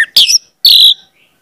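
An orange-headed thrush gives two quick, bright, high phrases about half a second apart, slightly scratchy and rich, with silence between.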